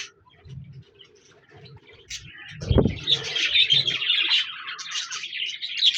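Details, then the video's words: Budgerigar chirping that starts sparse, with low murmuring notes, then grows into a continuous bright warble of overlapping high chirps and trills, with a brief low thump near the middle. "Budgies Birds talking sound | Birds chirping sounds"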